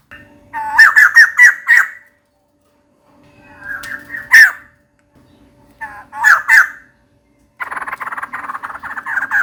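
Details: Female white-crested laughingthrush calling for a mate: a quick series of harsh stuttered notes, then two single strident bursts, ending in a dense, grating chattering stretch over a faint steady hum.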